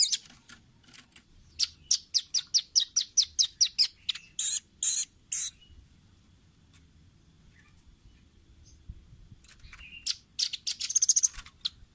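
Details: Velvet-fronted nuthatch on a tutor recording for training caged birds: a fast run of sharp, high chips speeding into a few louder, fuller notes, then a long quiet pause before a closing burst of rapid chatter.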